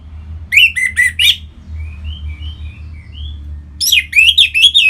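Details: Orange-headed thrush singing, Bali, Indonesia, used as a lure for other birds: rapid clusters of sharp, sweeping chirps at the start and end, with soft, thin whistled notes drifting through the quieter middle.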